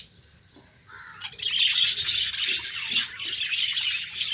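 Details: Pet budgerigars in their cage in the morning: a few thin whistled notes open quietly, then after about a second a loud mass of chirping and chattering from many birds takes over.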